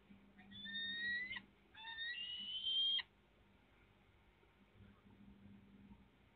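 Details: Peregrine falcon at the Police chemical works in Poland, giving two drawn-out, harsh wailing calls with a slightly rising, strained tone, each over a second long, then fading into low background hum and noise.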